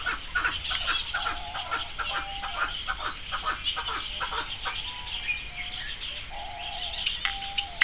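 Chukar partridge giving rapid, harsh clucking chuck notes in a dense, uneven series, with a few short nasal tones mixed in.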